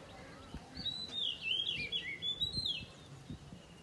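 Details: Oriental magpie-robin singing in the morning: a single loud phrase of clear, sweet whistles that slide up and down, with quick twisting notes, lasting about two seconds over a quiet background.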